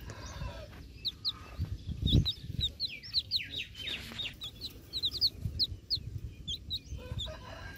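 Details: A chick still inside its egg calls for the mother hen with a dense stream of shrill, piercing cheep notes in quick succession, some doubled, over steady low background rumble and occasional thumps.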